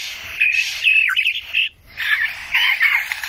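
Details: Lyrebird song from Australia, 2019: high whistled notes blend with harsh squawking chatter in two loud bursts separated by a brief gap.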